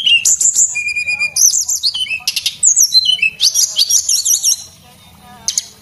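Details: Singing male Javan whistling thrush, kept to train other cage birds, delivers bright whistles and quick warbled, wavering phrases over about four seconds before falling quiet, followed by one faint note.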